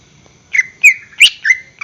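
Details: Greater green leafbird song used as a lure to make caged birds sing: a few short whistled notes near the same pitch, spaced about a third of a second apart, with a sharper rising note in the middle.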